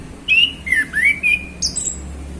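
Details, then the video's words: Male orange-headed thrush singing relaxed in the late afternoon, a quick run of clear, varied whistled phrases, some rising and some falling, with a few higher sharp notes near the end. "Anis Kembang Ngeplong Santai Sore"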